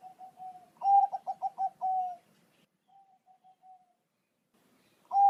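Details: Zebra dove, Bangkok type, cooing to prompt a kept bird to reply: a long soft coo, then a loud phrase of quick rolling notes ending in a drawn-out coo, followed by a faint echoing phrase.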